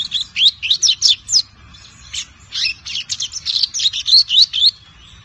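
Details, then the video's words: Young lined seedeater, a caged bird five months old, learning the song style called "Tui Tui zel zel"; a rapid run of high, sweeping whistled and buzzy notes, about four per second, with brief pauses between phrases. "BIGODINHO PARDO "SPOOK", Com 5 Meses Aprendendo o Tui Tui zel zel!"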